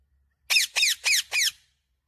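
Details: Pet parrot speaking the words "mummy papa" in a harsh, high, squawky voice: four evenly spaced rasping syllables, about a quarter second apart, in a quiet indoor setting.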